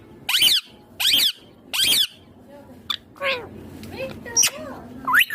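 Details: Green ringneck parrot talking: three loud, rasping speech-like bursts about a second apart, then softer squeaky, warbling syllables and a rising whistle.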